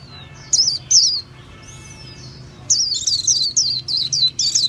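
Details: High twittering of a white-eye: two quick chirped notes, a pause with a thin faint whistle, then a fast run of bright warbled chirps.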